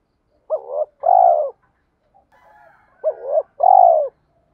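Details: Male and female spotted doves used as a lure to spur rival males: two identical pairs of coos, short upturned note followed by a fuller descending coo, spaced about two and a half seconds apart.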